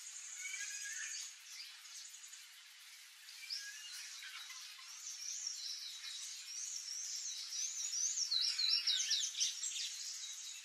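Palm Tanager giving a high, squeaky run of rapid chirps and thin slurred notes, rising and falling at a quick, busy pace; no other notable sounds.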